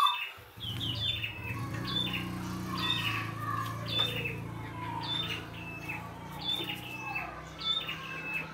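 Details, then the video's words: Wild red-headed prinia in vigorous song. A long run of high chirps with falling tails repeats about every second over a steady low hum. "PRENJAK KEPALA MERAH GOCOR FULL ISIAN"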